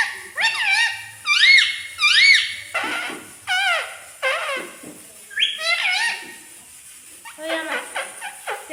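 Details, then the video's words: Indian green ringneck parakeet talking in Hindi, mimicking human speech: a run of harmonic, arching voice-like syllables in clustered phrases, some whistled and rising-falling, recorded indoors. "amazing talking parrot/parrot speak Hindi/Indian Green ringneck mitthu"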